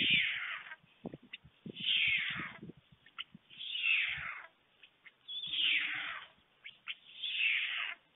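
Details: At a white stork nest in Fohrde, Germany, watched by webcam on 21 July 2019 at 1:45 p.m., an adult male brings food to two chicks; five mewing, falling, cat-like calls repeat about every 1.7 seconds between soft taps.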